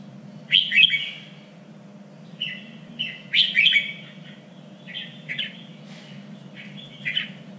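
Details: Red-whiskered bulbul singing for contest training: bright chirpy phrases in clusters, two strong bursts and several softer ones spaced by brief gaps, a constant low droning hum behind.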